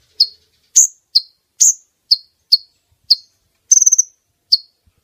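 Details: Female brown-throated sunbird, calling to bring in males: clean, evenly loud high chips, about two per second, with one short rapid trill near the end.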